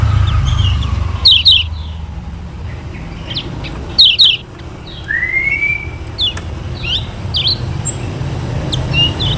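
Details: Lemon-bellied white-eye from Lombok, a recording played so other birds learn the song: clusters of high falling chirps with one smooth rising whistle, over a louder rumbling background noise.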